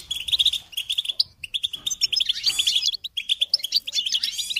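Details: Goldfinch song in choppy phrases: clusters of bright, twangy chirps separated by brief pauses, then a denser, buzzier tinkling passage in the middle and at the end.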